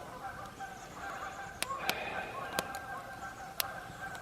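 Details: Canada geese at Diablo Lake honk steadily in the distance at breakfast time after calling all night, nasal overlapping calls, with a few sharp clicks and clatter from camp gear nearby.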